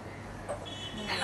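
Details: Grey parrot mimics the human phrase "khela hobe" in a voice-like, slightly rising tone, with a low rumble of traffic in the background.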